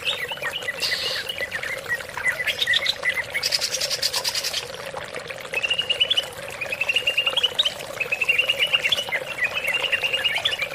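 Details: Greater green leafbird song used as a lure to make other leafbirds sing: varied whistled and chattering phrases around the upper-middle range, short trills and rising notes, with a steady low hum beneath and bursts of higher buzzy noise.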